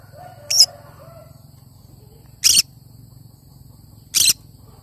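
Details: Cinnamon green-cheeked conure repeating loud, grating, harsh screeches roughly every two seconds, three in all, with soft chatter before the first.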